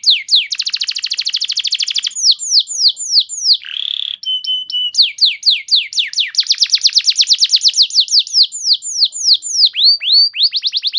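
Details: Canary lure song for training: long rolling trills of rapid descending notes, a brief buzz and flat tones, then more fast rattling trills and falling whistles, loud and continuous.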